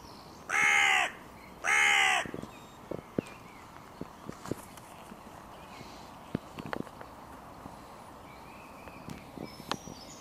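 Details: At a music pavilion in König-Albert-Park, where three crow breeding pairs' territory borders collide, two harsh, hoarse caws sound about a second apart. A long, quiet stretch with scattered faint clicks and knocks follows.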